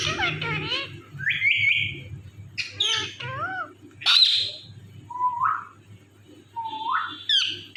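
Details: Talking rose-ringed parakeet repeating "Mithu": wavering speech-like syllables, buzzy rising squawks and sharp high chirps in irregular bursts, with a low background hum.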